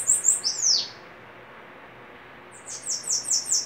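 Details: Bananaquit singing duel: a short burst of high notes ending in a falling swoop, a silent stretch, then a fresh series of thin, buzzy high notes repeated rapidly.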